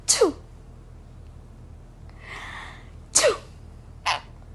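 A sun conure gives short, sharp sneezes, each a quick burst of breathy hiss.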